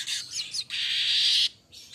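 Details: Streaked weaver, described as the golden-headed manyar, singing vigorously; recording meant for tutoring and prompting caged birds. A few quick scratchy chirps, then a long, harsh, buzzy hiss lasting nearly a second, with another buzzy burst starting at the end.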